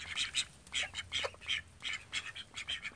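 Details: Thirteen domestic call ducks living in a house, giving loud, nasal, high-pitched quacks in quick uneven bursts, several birds calling over one another, roughly two or three quacks each second.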